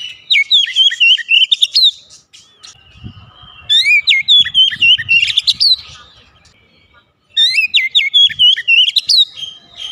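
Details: Loud Oriental magpie-robin song meant to prompt a reluctant bird to sing, delivered in three long bursts of rapid whistled and warbled notes, with faint low thumps in the gaps.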